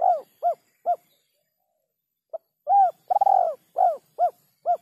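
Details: Spotted dove giving its kuk 3 style song, cleanly recorded: low, mellow cooing notes, a short phrase of three quick coos, a pause, then a longer burst with a rolling, stuttered coo and more evenly spaced coos; no other sounds.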